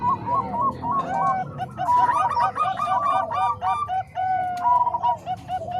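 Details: Combined song of Bangkok and Cemani Kolbuntet zebra doves, mixed to train other doves: quick, overlapping, bubbling coos from several birds layered together, some notes drawn out and slightly rising, steady throughout.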